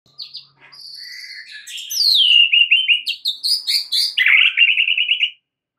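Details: White-rumped shama song used as a lure to get other shamas singing and adding to their repertoire: soft opening notes, then loud varied whistles sliding down into a run of quick repeated chirps, ending in a rapid buzzy trill.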